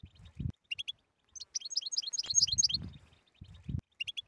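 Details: Song of a European goldfinch, played to coax silent goldfinches into song. Brief chirps, then a dense burst of high twittering notes, with low thumping noises before and after.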